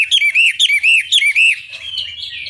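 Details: Chinese hwamei in energetic song, used as a long master lure to make rival birds answer: a run of loud, clear, arched whistles repeated about twice a second, then softer warbling trailing off with faint low hum.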